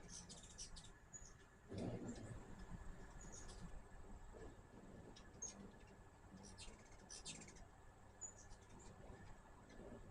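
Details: High, rapid twittering chips from hummingbirds visiting a feeder, clustered in short bursts at the start and again around the middle, over a constant low rumble.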